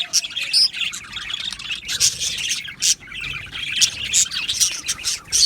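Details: Budgie colony in an aviary, Australian parakeets chirping nonstop; scratchy warbling runs punctuated by loud sharp squeaks roughly every second.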